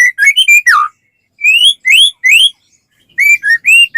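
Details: White-rumped shama singing to encourage other shamas to join in: varied high whistled phrases with rising and falling slurs, rising sweeps, and paired short whistles separated by brief silences.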